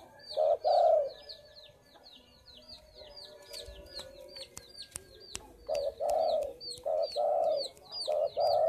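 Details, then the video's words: Spotted dove in a vocally active mood: a few mellow coos open the recording. A quieter stretch follows, then a run of repeated coos near the end. Higher-pitched twittering birds call throughout. "Burung derkuku/deruk mbekur gacor"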